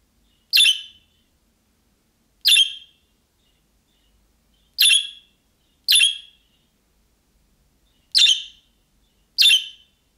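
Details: Calling-style calls of a budgerigar, meant to draw replies from other budgerigars; six short, rasping chirps at uneven intervals over ten seconds, some in close pairs, with no other sounds.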